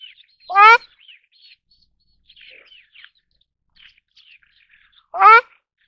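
Two loud, nasal, goose-like honks about four and a half seconds apart, with soft, high chirps from small birds in between.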